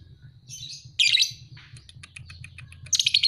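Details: Young lovebird, a two-and-a-half-month-old 'paud' fighter, giving raspy, squealing chirps, then soft ticking, ending in a quick burst of harsh chatter.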